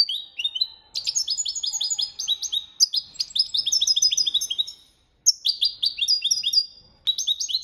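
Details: European goldfinch performing the copia malaga training song, near-continuous rapid twittering with metallic trills and slurred chirps in long phrases, broken by one brief pause around five seconds.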